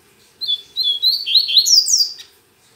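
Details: Double-collared seedeater kept as a pet, singing a lot on a Saturday morning though still weakly: short whistled phrases that speed into a tumbling series of sharp, high, slurred notes, ending abruptly.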